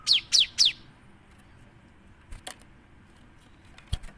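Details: Cinereous tit song used as a lure to prompt other birds to sing: three quick high notes, each sweeping sharply downward, delivered in under a second, followed by faint scattered clicks and quiet background.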